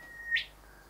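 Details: Singing at a window while admiring his own reflection, a male Rufous Whistler gives one steady, high whistle finished by an abrupt rising whip note.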